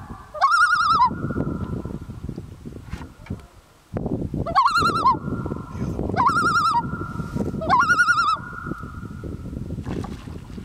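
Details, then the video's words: Pair of common loons calling to each other on a lake near Kamloops, British Columbia, Canada, late summer 2013: three loud warbling, quavering phrases a couple of seconds apart over a steady low tone, with wind rumble throughout. "Two Loons communicating on a lake"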